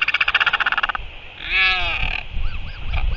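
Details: Northern royal albatross at return and chick feeding, recorded 01 05 2023: a fast pulsed harmonic rattle, then a rising drawn-out braying note, followed by small arched chirps against wind noise.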